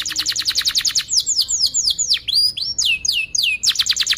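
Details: Canary training song meant to teach young birds: rapid repeated high notes, then a run of swooping downslurred whistles at varied pitch, closing with another fast burst of repeated notes.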